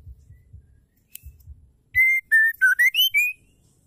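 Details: White-rumped shama female, whose song is used to provoke males into singing: faint low rustling, then a quick series of six clear whistles stepping down and rising again, over about one and a half seconds.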